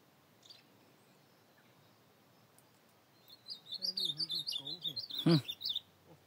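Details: An ultramarine grosbeak, recorded at night on 25 August 2024, gives a brief, high, warbled phrase of quick sweet notes lasting about two seconds, with a low human voice murmuring underneath and a sharp knock near the end.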